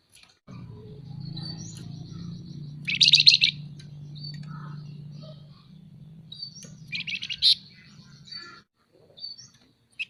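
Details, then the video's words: Scaly-breasted munia called flamboyan, singing vigorously in the nyerecet chattering style: two dense buzzy rattling bursts, each about half a second, with faint scattered chips between and a steady low hum behind. "Burung FLAMBOYAN GACOR Nyerecet Cerewet Merepet"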